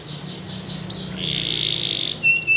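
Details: Spanish Timbrado canary training song, quieter passage: a soft rolling buzzy trill held for nearly a second, then short thin whistled notes.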